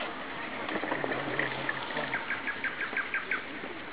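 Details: Nightingales singing in spring along a road beside the Klyazma River: a rapid run of short repeated notes, about three per second, steady in pitch and building in loudness, over a soft background hiss.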